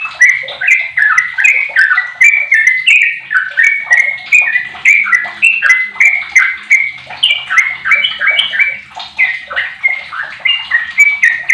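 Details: Sooty-headed bulbul, fifteen years old, singing as a lure to get other bulbuls going; a long run of short bubbly whistled phrases repeated about twice a second, steady and loud.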